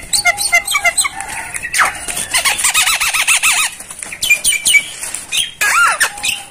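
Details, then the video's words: Starling singing masteran-style song: scattered whistles and chips, then a long, regular wavering warble like a rolling trill, followed by sharp slurred notes and a steady whistle at the close. "masteran jalak paling di cari saat ini"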